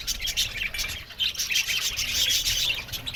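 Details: Many budgies chattering together in an aviary, quick high chirps and scratchy warbles packed closely, with brief dips in loudness.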